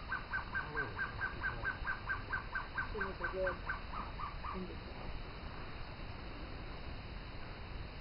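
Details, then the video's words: Gartered trogon singing in forest near Torti, Panama, with a long run of evenly spaced, clipped notes lasting about five seconds. Human voices murmur beneath the song, and a background hum persists throughout. "Gartered Trogon"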